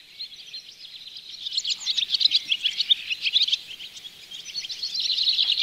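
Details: Barn swallows recorded from a bird hide at Oostvaardersplassen in September 2016 with a Panasonic Lumix GH4: dense, high chattering twitters of overlapping voices that swell into rapid, irregular chirps and grow louder toward the end.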